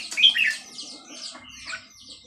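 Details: Red-whiskered bulbul of Burmese type at Dan Singkhon, singing a short burst of bright warbled notes, loudest at the start, fading into softer chirps against a quiet background.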